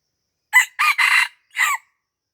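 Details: Wild red junglefowl from Aceh, Indonesia, crowing where it is lured at a house in Lamteuba: a brief first note, a drawn-out double middle phrase and a separate closing note after a gap, with no other sounds.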